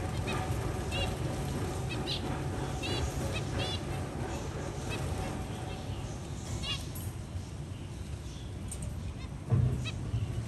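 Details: Zebra finch at the nest while a chick hatches, the mother helping remove it from the eggshell, giving short, nasal, trumpet-like calls at irregular intervals over a low background rumble.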